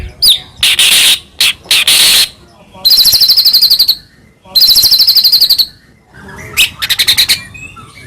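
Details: White-rumped shama in the morning, in 'kretek' style, played to lure a pet bird into song: harsh, noisy bursts alternate with long, buzzy, high-pitched rattles separated by short silences.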